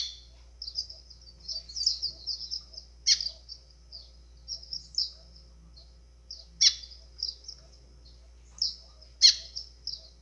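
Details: White-throated seedeater (golinha) singing in azulão style to excite birds: high, short warbled phrases, each punctuated by a sharp snapping burst roughly every three seconds, over a quiet background.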